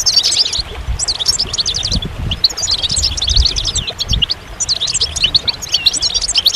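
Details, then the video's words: Goldfinch song of rapid, high, chattering notes delivered in long, bubbling runs with short breaks between phrases, over faint low background rumble. "Magical Goldfinch Songs"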